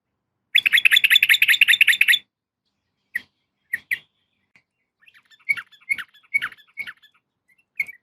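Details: {'caption': 'Calling female yellow-vented bulbul summoning a male: a dense, buzzy chattering trill lasting almost two seconds, followed by scattered single chirps and a loose series of softer notes.'}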